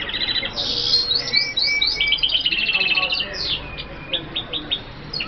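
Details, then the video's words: Hooded siskin song from F1 birds of Colombian origin: a lively mix of high chirps, buzzy trilled phrases and slurred whistles, fading into a string of spaced, sharp notes. "Kaputzensijs F1 (Sound) Guadeloupe 1, ( sound of the kaputzensijs birds)"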